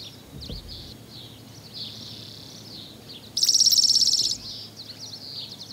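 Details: Spotted towhee on Lummi Island, Washington, giving a single fast, buzzy trill lasting about a second, over steady background chirping from other birds.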